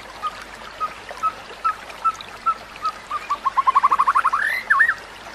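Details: White-rumped shama, a tutor recording for other shamas: soft single whistles spaced evenly, then speeding into a quick rising trill that ends in looping notes.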